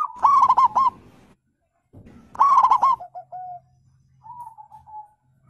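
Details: Zebra dove call from wild local and Bangkok-type birds, used to prompt silent caged birds to sing back: two bursts of quick rolling coo notes, then soft level drawn-out coos fading away.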